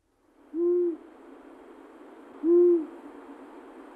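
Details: A very nocturnal Long-eared Owl (Asio otus) gives two low, soft, even, muffled hoots about two seconds apart over a faint steady hiss.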